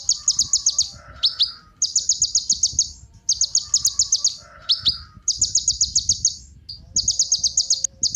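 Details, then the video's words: Sunbird known as kolibri ninja, a bird-prompting lure: bursts of rapid, shrill trilled chips roughly every second and a half, each followed by a short softer twitter. "Kolibri Ninja Pancingan Penggacor Burung Cocok Buat Isian Segala Burung"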